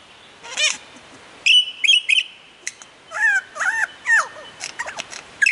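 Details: In Australian forest, a lyrebird mimics with varied whistles: wavering inflected notes, a clear level whistle repeated three times, then quick twisting chirps and rising slurs in an irregular, lively sequence.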